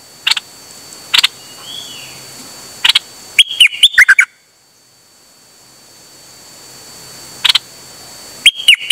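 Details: Dok taeng bird recorded 8 September 2023, sharp clicks and chirps leading into quick phrases of ringing, sliding whistles, repeated after a pause of about four seconds.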